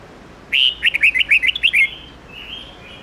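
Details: Red-whiskered bulbul in wild, mature-voiced morning song used to train young birds: a quick burst of about nine bright, clipped chirping notes over one and a half seconds, then a fainter trailing warble over low hiss.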